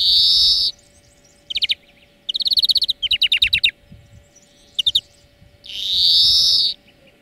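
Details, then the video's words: Greenfinch training song that opens with a drawn-out nasal wheeze, moves into several fast rattling trills, and closes with another long wheezy buzz, all over a low steady hum. "Florya Ötüm Dersi 4 Saat"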